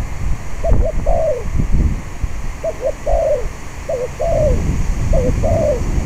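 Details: Spotted dove cooing in strong wind while luring wild doves to a decoy cage: four evenly spaced phrases of a brief double note and a falling, slightly wavering croo, wind rumbling throughout.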